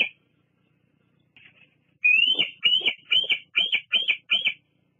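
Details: Female bald eagle at a nest on Fraser Point, evening of 17 July 2022, caught by a live nest camera while visiting to preen and perch; one sharp high note, a faint brief note, then six rapid piping notes in quick succession.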